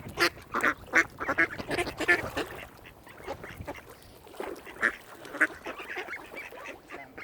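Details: Mute swans at Kinnego Bay, Oxford Island Nature Reserve on Lough Neagh, County Armagh, Northern Ireland, give hoarse, nasal snorting calls in irregular bursts, about one to two a second, fading to softer grunts before a few more calls.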